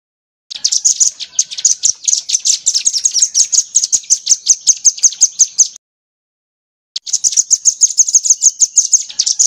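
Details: Crimson sunbird song used as a tutor recording for training songbirds. Very high, rapid chittering notes run steadily for about five seconds, pause briefly, then resume at the same quick pace. There is no other clear background sound.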